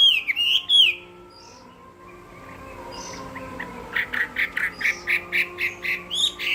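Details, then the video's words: Chinese hwamei in a singing contest: a few loud looping whistles, a quiet pause with faint notes, then a steady run of about ten short, evenly spaced ringing notes. "Họa mi hót đấu hay"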